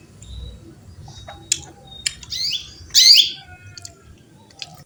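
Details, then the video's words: A female canary calls a male with bait-sound chirps: a cluster of quick high twittering notes, the loudest about three seconds in, mixed with small clicks and soft background noise. "Female canary chirps calling male"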